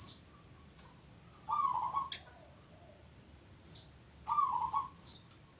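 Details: Local zebra dove in active song, repeating a rolling, tremulous coo twice, roughly three seconds apart, amid scattered high chirps from another bird.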